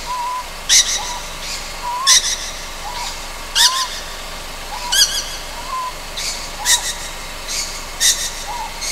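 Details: A young Ryukyu scops owl on Amami Oshima calls through the night with a steady series of raspy, hissing screeches about every 1.4 seconds, alternating with soft wavering whistled notes.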